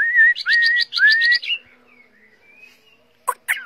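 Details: A caged Chinese hwamei, a tamed bird, sings a brief burst of rising whistled notes with rapid chattering overtones, then falls quiet apart from faint sounds and two sharp clicks at the end.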